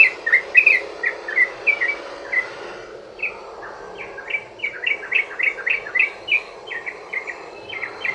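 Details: Sooty-headed bulbul long rolling song used to lure other bulbuls into singing: a brisk chirping run, briefly pausing, then resuming as a rapid, even string of repeated upswept notes.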